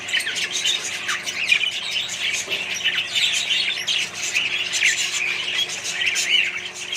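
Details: Australian budgies housed in a colony alongside other birds warble and chirp nonstop, with short downward-sliding squeaks standing out against the dense chorus.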